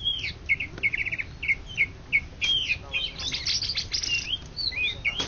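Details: Greater green leafbird, Indonesian contest winner of 2013–2014, repeats short downslurred whistled phrases in a quick series, then breaks into busier, scratchy high twittering, over a soft low rumble.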